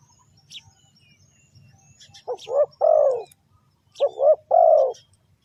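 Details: Two phrases of a spotted dove, a call used to lure wild birds in. Each phrase is two short, low coos followed by a longer, swelling coo, after a quiet start with faint, distant chirping.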